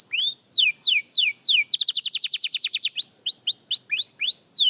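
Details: Young canary in singing practice: loud, clear whistled notes sweeping down, then a fast even trill of short repeated notes, followed by a run of rising, upward-curving whistles.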